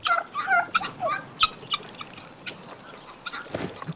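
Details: Two rival male domestic turkeys fight in a farmyard, giving rapid, gurgling gobbles in quick bursts, then scattered fainter calls; a rustling scuffle near the end. The fight ended with one adversary's death.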